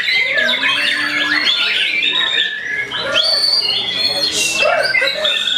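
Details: White-rumped shama starting to fight back against a rival, delivering a loud, varied song of bright whistles, quick upward and downward sweeps and harsh chattering notes in a continuous stream.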